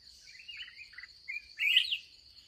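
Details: Wild red-whiskered bulbul, fiery-tempered, heard on the last trapping session of the day; soft warbles build to one loud, bright slurred phrase near the end, with a steady insect hum behind.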